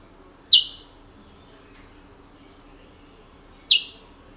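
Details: A pet Picolette from French Guiana, owned since 1986, gives a pair of crisp descending chips about three seconds apart. Little else is heard beyond faint room noise.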